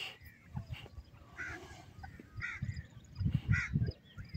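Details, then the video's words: White francolin (teetar), male and female, giving a series of harsh, upward-bending notes in short groups, with a steady low-pitched rumble running underneath. "white francoline bird sound,teetar male and female voice"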